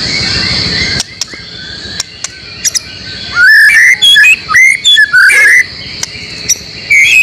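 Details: White-rumped shama (murai batu) song from a recording for training caged birds to sing, with inserted material from other birds: loud whistled, rising and slurred notes in quick bursts over a steady high-pitched hiss.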